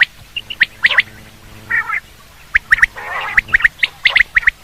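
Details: Quail sound for hunting: crisp, clipped whistled notes in pairs and triplets, interrupted by two scratchy, rasping bursts, with a faint background hum.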